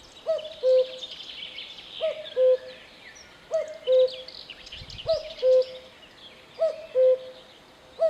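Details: Cuckoo repeating its mellow descending two-note call five times in a regular rhythm about every one and a half seconds, with a sixth call starting as it ends. Other birds chirp faintly in the background.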